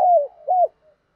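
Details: Spotted dove cooing used as a lure to provoke rival males: two smooth falling coos, the first long, the second shorter, then silence.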